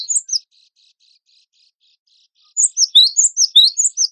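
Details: Gelatik batu wingko, a cinereous tit kept for song contests, in a training recording: two high chirps, a quiet stretch with faint twittering, then a burst of quick, sharp, descending notes.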